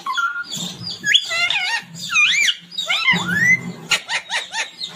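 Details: Pet talking parrot, said to speak phrases like "mummy papa koun aaya hai": dense, speech-like run of whistled and arching harmonic syllables, some sweeping upward, with a low hum in the room beneath.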